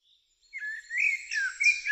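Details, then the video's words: Eurasian blackbird singing: after a brief quiet start, a warbled, fluting phrase of sliding notes runs continuously for about one and a half seconds, with higher twittering overtones above the main melody. "Turdus merula"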